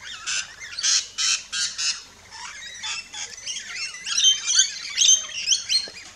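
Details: Rainbow lorikeets at an Australian backyard feeding station, starting with a series of evenly spaced loud screeches, then a softer run of rapid twittering chirps.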